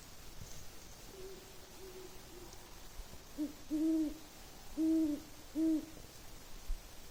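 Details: Great horned owl (Bubo virginianus) in a snowy winter forest at night after a snowstorm gives deep, soft hoots in a short rhythmic series, with fainter lower hoots from a second owl just before, over quiet background hiss.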